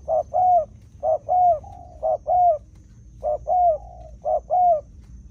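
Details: Spotted dove, a wild-caught field bird used with a decoy, cooing in paired low notes: a short coo followed by a longer, slightly wavering one, with the pair repeated about once a second. Faint low rumble sits underneath.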